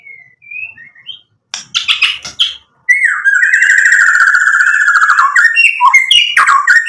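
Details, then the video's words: White-rumped shama singing in a lively, full-repertoire style rich in 'isian' filler material, meant as a lure to provoke other birds to answer; short clear whistles and rough bursts, then a long buzzy rattling trill, ending with quick varied whistled phrases. "MURAI BATU GACOR bikin EMOSI Langsung NYAUT BUNYI BONGKAR MATERI ISIAN ampuh buat PANCINGAN"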